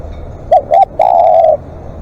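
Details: Single phrase from a live decoy spotted dove in long calling: two short mellow coos followed by one extended steady coo, with faint clicks.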